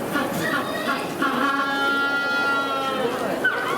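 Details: Magellanic penguin giving a loud, nasal, harmonic bray: short choppy notes in the first second, then one long even note held for about two seconds, ending in a brief rising squeal.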